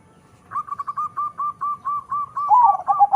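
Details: Zebra dove, a crossbred perkutut from local and Bangkok lines, prized across Java and Southeast Asia for its big voice, giving a run of quick clipped mid-pitched notes that ends in louder, lower rolling coos.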